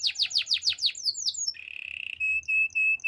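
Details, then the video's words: Canary delivering quick falling whistled notes, about six per second, then a smooth rolling trill at one pitch and three clear sustained whistles. "Super relaxing canary birds sounds"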